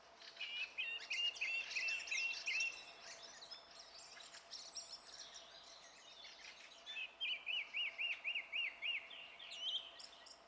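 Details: Song thrush song recorded on 27 April 2016: a rapid series of repeated whistled notes, a pause with softer varied twittering, then a new phrase rattled off about eight times in a row, over a light steady background hiss.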